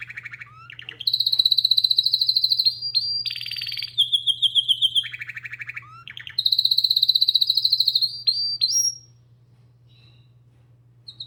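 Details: Canary singing a long varied song: rapid buzzy trills at mid and high pitch, a bright high rolling phrase, short rising whistles, a pause, then the trills resume; steady low electrical hum underneath.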